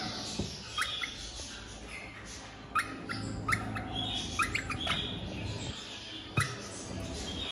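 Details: Crimson rosella (Platycercus elegans) giving short, harsh squawking notes at irregular intervals of a second or two, over a low steady background rumble.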